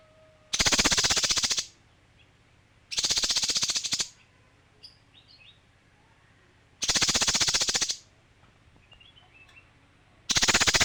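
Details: Harsh, rapid-pulsed rattles from a male kinoi, each about one second long, repeated four times at intervals of two to four seconds, with soft high chirps in the quiet gaps.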